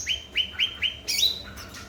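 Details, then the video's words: A brief run of four evenly spaced rising notes from a cucak ranting bulbul, followed by a sharp high chirp, used to prompt silent birds to sing. "Burung Cucak Ranting Gacor//pancingan cucak Ranting Macet Bunyi."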